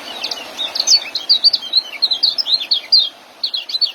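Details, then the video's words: High, rapid twittering song of a young white-eye in ngeriwik and joss style, recorded as masteran to train caged birds; dense run of sharp, rising and falling notes with a brief pause near the end. "Suara Ngeriwik dan joss kecial muda"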